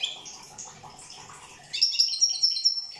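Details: European goldfinch from Corsica giving a short burst of high, rapid twittering notes in the final half, following a quiet stretch of faint background sound.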